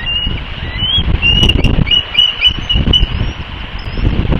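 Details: Male bald eagle with eaglets under him at the West End nest on Santa Catalina Island, California, on 14 March 2024, alerting to an intruder. He gives thin, high chittering whistles in quick bursts, surprisingly weak for so large a bird, over steady rumbling wind.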